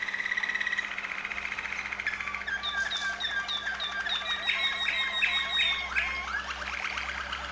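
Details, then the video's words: A Waterslager Malinois canary in Serbia's Veliko Gradiste sings: an opening rapid pulsed roll, then a long series of bubbling, water-like chopped notes at varied pitches, steady and unhurried. "Waterslager Malinois Canary"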